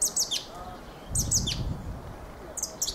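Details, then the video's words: Fieldfare (Turdus pilaris) giving two quick squeaky, downslurred phrases and a final high chatter, with a brief low rumble in the background. "Fenyőrigó ( Turdus pilaris ) éneke."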